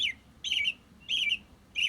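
An American Robin sings short, clear caroling phrases that warble up and down, about three in two seconds, with brief pauses between them.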